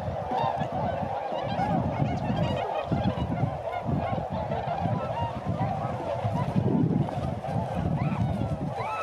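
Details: Tundra swans calling as they fly at Sasagata, Japan, on 3 November 2018: continuous overlapping honks from many birds, occasional higher upslurred notes, and a constant low rumble beneath.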